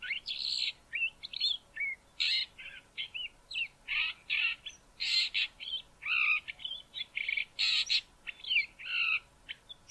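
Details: Male Southern fiscal near Grahamstown singing softly: a varied run of chattering, scratchy and whistled notes, some harsh bursts mixed in, delivered in quick continuous succession, with a quiet background.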